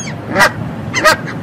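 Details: Canada goose (Branta canadensis) giving two loud, nasal honks about two-thirds of a second apart, each a brief harsh blare over a quiet background.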